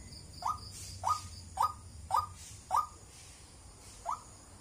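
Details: A white-breasted waterhen calls wak wak, six short rising notes spaced about half a second to a second apart, the last after a pause, above a low steady background noise.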